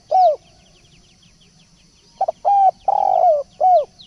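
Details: A spotted dove lure call: one falling coo, a long gap, then a phrase of a double pip, a steady coo, a long rolling coo and a final dropping coo. Faint high chirps of small birds throughout.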